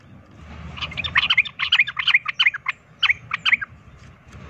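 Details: Sooty-headed bulbul singing its combative provoking song, a quick string of sweet, slurred whistled notes rising and falling, set against steady low noise.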